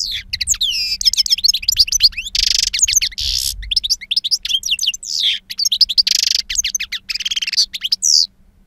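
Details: Loud, almost unbroken wild-style song of a two-year-old European goldfinch, noted for powerful timbre and long calls: tinkling trills, slurred whistles and several buzzy drawn-out rasps, with low rumbling in the background.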